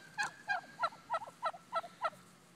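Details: Wild turkeys near a house answering mouthed hen calls: a steady series of seven short, clear yelps spaced about every third of a second, with a low hum in the background.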